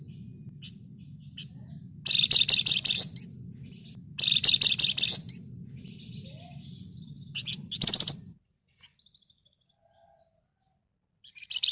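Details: Red-whiskered bulbul in full song in the dense ngebren and nyerecet style: two loud, buzzy, rapid chattering bursts, each about a second long, then scattered high chips and a sharp final burst over a steady low hum.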